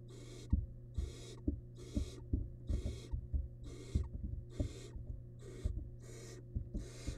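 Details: Inside a nest box, a wild barn owl nestling devours a large rabbit remain. About ten rasping hisses repeat quickly, roughly every three quarters of a second, mixed with thumps and tearing knocks over a low hum.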